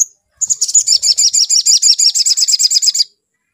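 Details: Spiderhunter sound played to stir a bird into singing: a fast run of about seventeen identical high, clipped notes, evenly spaced and steady in pitch, lasting under three seconds.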